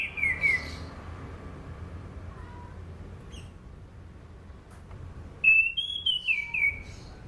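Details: Orange-banded thrush singing, used to lure and train other birds: a short falling whistled phrase at the start, a quiet pause, then a longer wavering whistle that steps down in pitch near the end.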